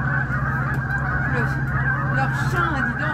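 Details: A flock of Canada geese on the St-Maurice river on 21 September 2019 honks together, overlapping nasal two-note honks in a constant rapid chorus, over a steady low rumble.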